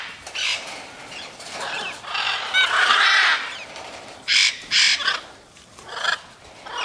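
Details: Macaws in free flight giving harsh, raspy squawks, a drawn-out rough screech in the middle followed by two short loud blasts and a fainter final call.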